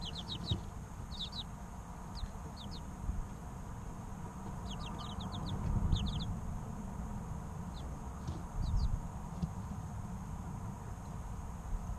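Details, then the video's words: Three-week-old chicks chirping in sparse short bursts, tight runs of high falling peeps separated by quiet gaps, over a constant low hum. "Chicks Chirping Sounds 2 - Baby Chicken Sounds"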